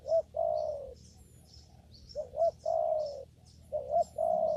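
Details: In a papaya garden during lure trapping, a spotted dove repeats its call: a quick wavering double coo leading into a long, slightly falling coo, phrases spaced about two seconds apart, faint small-bird chirps above.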